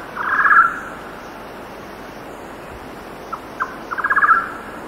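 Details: Golden-naped barbet song at 6,000 feet in wind: a loud trilled burst, then two isolated clicks and a second rapid, crescendoing trill, with cicadas and distant birds behind a constant breezy wash.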